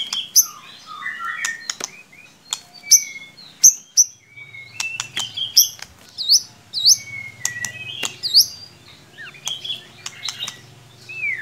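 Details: White-rumped shama pouring out a long varied lure song to encourage a young shama: quick whistled chirps, swooping slurs and frequent sharp clicks, phrases repeated through about eleven seconds.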